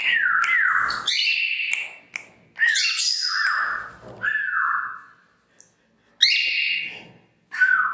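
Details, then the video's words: A headbanging female cockatiel serenades with a sweet whistle song: swooping whistles that rise then fall in smooth slurs, phrases separated by short gaps, ending with a brief silence and a last note. "Female Cockatiel Does Headbanging Dance and Whistle Song"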